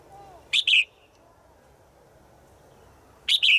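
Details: The female's daily call to the male in the forest: two rasping two-note bursts about three seconds apart, otherwise quiet.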